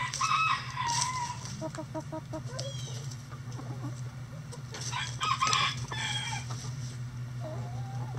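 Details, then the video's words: Chickens in a sunny-day coop: several tonal calls mixed with rapid repeated clucks, a second cluster of louder calls midway, and a low droning hum underneath. "Relaxing Chicken Coop Sounds On A Sunny Day"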